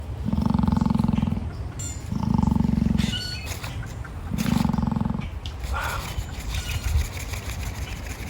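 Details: An emu at an animal park gives three deep, rumbling, dinosaur-like snorts, each about a second long and two seconds apart, then faint clicks and rustles as it grooms itself.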